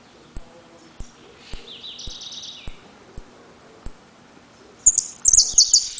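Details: Trenque Lauquen caged saffron finch performing "El Correntino" (repique, golpe, pitadas): a steady series of sharp high pips roughly every half second, a brief lower buzzy trill, then a loud rapid jangling run of notes at the end.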